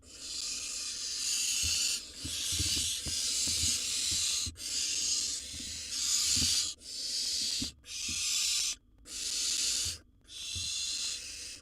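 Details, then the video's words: Wild barn owl nestling at a nest box, after a sibling's attempt to steal its prey bird, giving a series of harsh snoring hisses about one second long, separated by short breaks, with light thumps and scrapes. "Barn owl nestling gobbles down a bird after its sibling tried to steal it."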